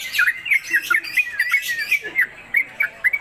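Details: Sooty-headed Bulbul in captivity, konslet kemedol style: a short burst of chattering whistled notes, a brief pause, then a few sharper dropping notes in a room.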